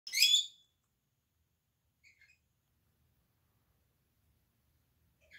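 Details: Senegal parrots, ten birds kept indoors in an office turned bird room; one loud, harsh squawk at the start, then two faint chirps and a soft burst near the end in a quiet room.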